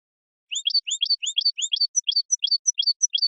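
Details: Mating song of a European goldfinch that excites the female. Crisp, high rising slurs alternate with short tinkling chirps in a steady repeated pattern, with no background noise.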